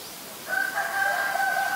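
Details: White-vented (Great) myna (Acridotheres grandis), Ubon Ratchathani, Thailand, 9 March 2022, giving one long, steady, slightly nasal whistled note held for over a second, over faint background hiss.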